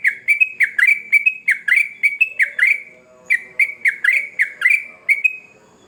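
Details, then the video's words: Sooty-headed bulbul singing energetically (trucukan gacor): rapid bursts of short, loud, slightly falling chirps, a dozen in the first three seconds, a brief pause, then another run of similar notes fading out. "Trucukan Gacor Ngamuk"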